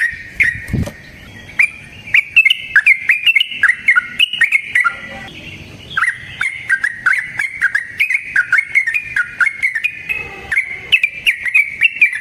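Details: Yellow-vented bulbul, sung in 'ropel panjang' style as a lure for other bulbuls: a long, continuous babble of whistled and chirped notes, fast and slightly uneven, with one brief pause midway.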